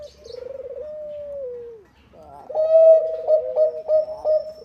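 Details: Actively singing zebra dove of the Bangkok type, played to get other doves singing: a pulsing rolled coo becomes a steady falling whistle-like note, then a loud series of clipped, repeated cooing notes after a short pause.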